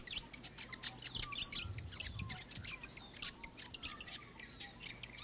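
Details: Fantail calling in a backyard: rapid, sharp, high chirps and ticking notes scattered irregularly through the clip, with faint low rumbling beneath.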